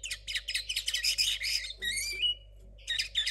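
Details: A young linnet hybrid from 2022, song still rough with only some notes clear, gives a dense twitter and buzz that turns into a long, rising whistled slur. A short pause follows before the twittering resumes.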